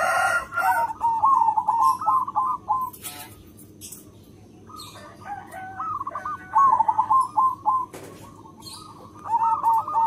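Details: Local zebra dove with a loud voice, its song used to lure other zebra doves: repeated rapid phrases of slurred, hooked whistled coos with pauses between, some notes overlapping, and a few sharp clattering noises.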